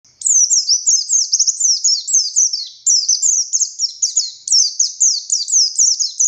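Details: Oriental white-eye of the buxtoni race singing in the energetic 'konslet ngalas' style: rapid, very high, thin twittering phrases of slurred descending notes, tightly strung in bursts around a second long, against a clean, quiet background.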